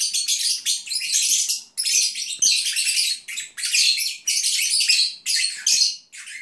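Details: Pet Agapornis lovebirds twittering as they nap, a steady run of harsh, buzzy high chirps grouped in bursts of about a second, separated by brief dips, recorded indoors.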